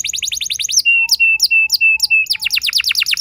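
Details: Young canary song used to prompt other canaries into long rolls: a quick series of downslurred notes, then five evenly spaced flat whistles with sharp accents, then another fast trill.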